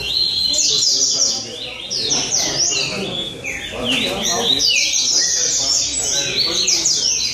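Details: Rusty-collared seedeaters (coleiro) at a singing tournament in São Vicente, Brazil: loud rapid bursts of sharp whistled notes sweeping up and down, several birds overlapping continuously, with faint human voices beneath.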